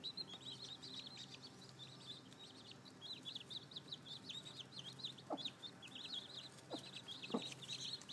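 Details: Newly hatched chicks, seven of them, with a hen likely brooding at least two more just hatched. A steady chorus of high, shrill, downward-slurred peeps continues throughout, with a few faint dull thuds underneath.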